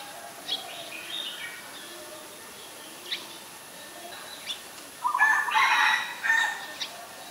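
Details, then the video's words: Ashy Woodswallow calling at Ubon Ratchathani, Thailand, on 20 October 2021: a loud, harsh, buzzy chattering burst near the end, after quieter scattered high chirps from other birds. "นกแอ่นพง : Ashy Woodswallow"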